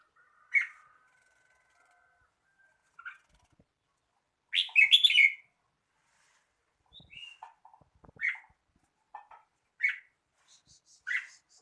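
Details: Red-whiskered bulbul singing a loud, rich warbled phrase amid scattered short chirps and sharp notes spread over about eleven seconds, with soft clicks in the background.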